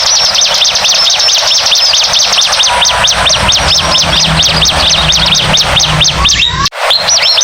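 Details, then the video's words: Bar-winged prinia lure song, a busy, excited recording: loud, rapid series of sharp high chirps swinging down and up, about six per second without pause, with a brief break near the end before the chirping resumes. "Suara pikat ciblek ribut"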